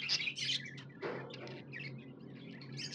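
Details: Tame pet budgerigar chirping: a dense burst of bright, high chirps in the first half second, then a brief lower note and a run of scattered, softer warbled chatter notes, with a faint steady low hum underneath.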